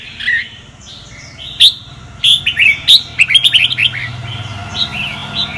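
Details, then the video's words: Red-whiskered bulbul of the Sông Kon type singing as a training voice: soft notes at first, then a rapid stuttering series of bright chirps, about one and a half per second, fading into quieter warbles. "Chào mào luyện giọng cực hay"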